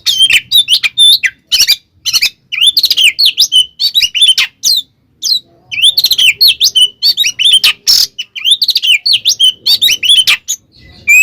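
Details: Aggressive fighting song of a kacer (Oriental magpie-robin), played to make other magpie-robins agitated; rapid loud phrases of sharp whistles and harsh chips in bursts, separated by short pauses.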